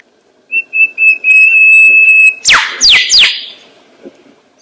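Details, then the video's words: A lyrebird holds a long, steady high whistle, then gives three sharp, laser-like notes that swoop steeply downward, mimicking other sounds to court a female. "The sound of a rabble harp imitates all sounds to court the female"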